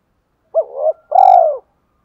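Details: Spotted dove luring wild doves with its call: a quick, hoarse double note, then a long, steady, low coo, with a faint brief click partway through.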